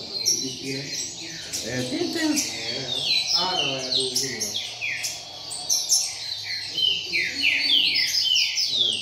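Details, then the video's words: Group of caged double-collared seedeaters gathered in a circle, singing and calling: dense overlapping bright, downward-slurred whistled notes and quick chirps in rapid irregular succession, with a man's voice talking briefly mid-clip. "Roda de Coleiros Cantando e Chamando"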